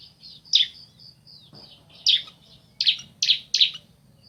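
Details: Pair of bar-winged prinias, male and female, exchanging calls: single high, bright chirps, a lone note then a quick run of three closely spaced ones near the end, with a faint thin whistle and low hum behind.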